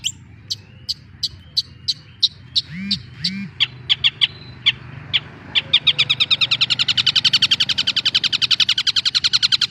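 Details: Young long-tailed shrike, a cendet, singing: sharp clicking notes build into a fast, even run of harsh repeated chatter, with a few higher whistled slurs mixed in.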